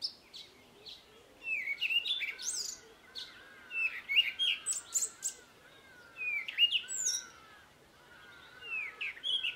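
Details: Cape robin-chat singing in a garden, a melodious mix of song and mimicry: varied whistled phrases, upslurred and downslurred notes, and high sharp chips delivered in bursts separated by short pauses.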